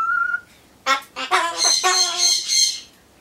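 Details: A pet Ducorps's cockatoo (Cacatua ducorpsii) talks to itself while waiting for pumpkin: a clear whistle, then a run of raspy, speech-like chatter with squawky syllables over about two seconds, amid tuneless song imitations.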